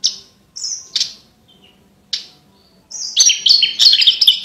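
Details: Javan bush lark singing tutor phrases for competition birds: scattered single high whistles and clicks separated by short gaps, then a rich rapid jumble of chirps and trills at the end.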